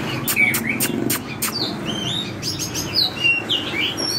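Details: An Oriental magpie-robin sings in a wild, forest-style voice: a varied run of clear whistles, sharp chirps and slurred notes at mid to high pitch, over a faint low background hum.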